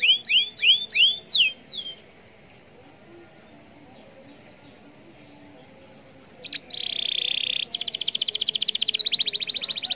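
A canary gives a quick run of five bright, sweeping chirps, then after a pause a sustained high trill and a fast rattling buzz.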